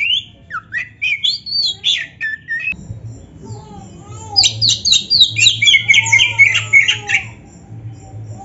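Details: Oriental magpie-robin (kacer) in heated song, played to provoke silent kacer; varied whistled phrases, a brief pause, then a burst of rapid repeated sharp notes and rich warbling over a faint low hum.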